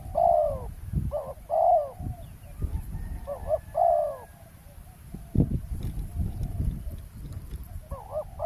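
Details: Spotted dove cooing by the roadside while a wild dove is lured during trapping on the ground: short groups of low, hooting coos with brief pauses, over rumbling low noise and occasional thumps.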